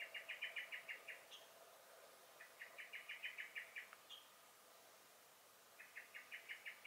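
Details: Blackbird alarm calling in a garden in May 2021: rattling series of sharp, rapid chink notes in three bursts, with a short higher squeaky note slipped in between bursts.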